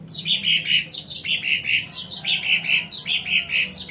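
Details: Sumatran cucak ranting song, used to lure wild birds: rapid, bright chirped phrases falling from high to middle pitch, repeated about every half second in a continuous lively run, with faint low hum behind.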